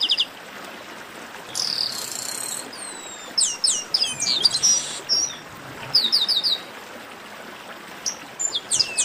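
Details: Chestnut-capped blackbirds in a 'baderna' chorus used to warm up singing birds: a buzzy burst, long descending whistles, then clusters of quick sharp chirps spread across the recording.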